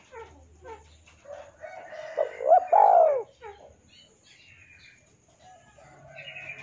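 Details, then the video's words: Spotted dove in song for training captive birds: one phrase of rising hoots and a long falling coo in the middle, surrounded by scattered chirps from other birds and low background noise. "SUARA BURUNG TEKUKUR DERKUKU GACOR MANGGUNG UNTUK MASTERAN DAN PANCINGAN!"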